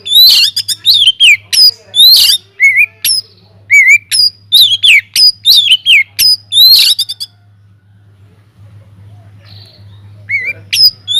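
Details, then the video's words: Oriental magpie-robin singing vigorously in a flight aviary, its song meant to stir other birds into singing: a fast string of bright whistles, upward slurs and scratchy chatters for about seven seconds, then near silence with a low hum and a few final notes. "BURUNG KACER GACOR DIDALAM UMBARAN"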